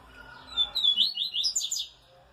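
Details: Brown 'pardo' double-collared seedeater recorded on a Saturday, delivering a fast phrase of bright, high twittering notes that climb and tumble for just over a second, sharp and clear over a soft background.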